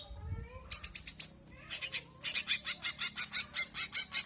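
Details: Long-tailed shrike singing in Indonesia: a brief burst of high buzzy notes, a pause, then a long run of harsh, evenly spaced chattering notes, about four each second.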